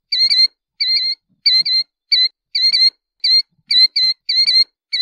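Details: Killdeer calling with paired, high, two-part notes, each with a lower harmonic layer, repeated in close succession about twice a second with brief gaps; faint low knocks in the background.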